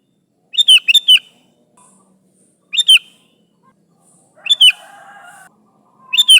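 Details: Vocal Sooty-headed bulbul summoning its companions with brisk, gurgling note clusters spaced irregularly, a two-part phrase first, then single and paired chirpy bursts, faint soft hum between them.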